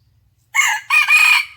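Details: Red junglefowl crowing in a morning decoy contest, 27 January 2021; a raucous crow with a short first note, a pause, then a long rasping phrase that fades out, with no other sounds.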